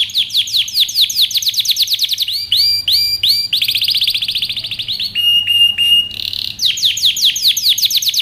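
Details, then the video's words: Canary song meant to train young birds: fast trills give way to slower looping whistled notes, a flat buzzy tone, a short hoarse phrase, then quick descending trills again. "Canary Singing | Melodies Canary Bird Song | Training Video"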